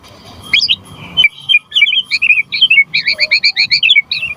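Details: Gacor white-rumped shama (murai batu) song, used to lure and tutor other shamas: high, quick repeated twittering notes in a steady rhythmic series, with faint background hum.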